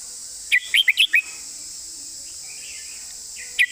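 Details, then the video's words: Red-whiskered bulbul singing in the 'phleng mae bot' (master song) style, said to have beautiful phrasing: a quick run of five bright, warbled notes in half a second, a pause, then one more short note over a steady hiss. "นกกรงหัวจุก"เพลงแม่บท เดินสำนวนสวย"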